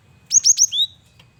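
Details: A lure male cinereous tit in full vigorous song: three crisp, evenly spaced high chirps followed by a longer falling whistle, all in about a second.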